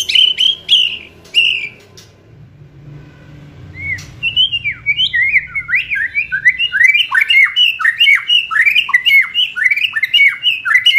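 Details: Aggressive kretekan song of a White-rumped shama, meant to provoke and speed up full singing: a few loud whistles, a pause, then a long rapid series of sharp, crackling up-and-down notes, about two per second.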